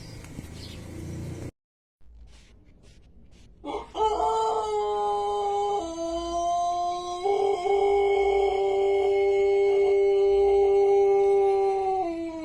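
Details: Long, melodious crow of a Pelung chicken, a native ornamental breed from Cianjur, West Java, Indonesia. Quiet rustling comes first, then the crow starts abruptly and holds a sustained, slightly stepped tone for over eight seconds before ending.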